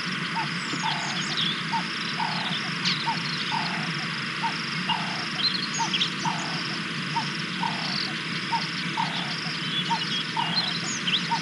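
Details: One of a pair of Tawny eagles at Naledi Cat-EYE, South Africa, filmed by live cam on 10 February 2024, gives a steady run of short, hoarse barking notes, about two each second, over high twittering from small birds. Tawny eagle.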